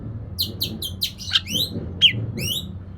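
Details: Oriental magpie-robin song used to provoke a silent bird into singing: a rapid series of short, buzzy downslurred notes repeated in quick bursts, with a low background hum.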